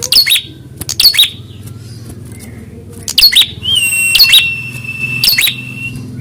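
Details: Prinia song used as a fighting test for rival birds: clustered sharp, scratchy chip bursts in quick pairs, then a long level high whistle overlapping further chattering bursts.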